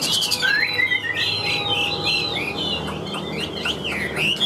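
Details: Wild-caught Chinese hwamei kept in a cage, singing loudly with a strained, forceful voice: rapid looping whistled notes, swooping up and down, packed closely together in fast succession.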